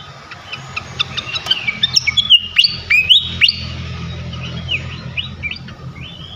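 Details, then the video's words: Flycatcher song used as a lure to make other flycatchers sing: a run of sharp high chirps and quick looping whistles over steady low background noise, with softer notes trailing off. "Auto Konslet gacor ngeplong sikatan manapun sekali pancing ini."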